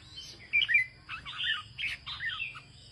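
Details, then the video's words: Brief, fairly soft passage of a farmer's red-whiskered bulbul in the northern ché style: a few twittering, slurred notes and short warbled clusters, with a thin constant high tone and low rumble behind. "Chào mào của ông nông dân hót ché đẳng cấp miền bắc"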